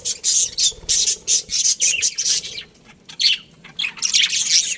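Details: Budgerigars in a breeding colony chirping in short repeated bursts of scratchy high chatter, pausing briefly midway before resuming with louder squawky notes.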